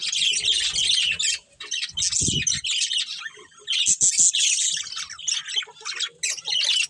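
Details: Budgerigar breeding pair in a colony giving busy high-pitched chatter, with scratchy squawk-like notes and fast twittering in bursts separated by short quiet gaps.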